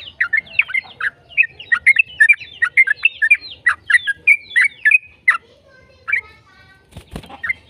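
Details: Yellow-vented bulbul giving a long, varied song meant to prompt other bulbuls into singing: fast bubbly chattering notes for about five seconds, then sparser calls and a brief knock.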